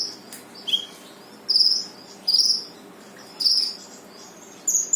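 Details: Brown-throated sunbird singing to prompt a silent bird to sing: short high bright bursts of sharp twittering notes, repeated about every second with brief pauses, a steady faint hiss beneath.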